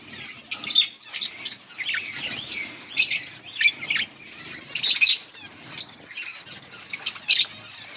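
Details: Budgies chirping in a steady run of high, scratchy warbles and sharp tweets, loud bursts coming every second or so with brief dips between.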